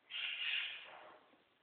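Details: Captive scarlet macaw at play with its owner lets out one loud, grating screech of about a second that fades off raggedly, with a quiet room behind it.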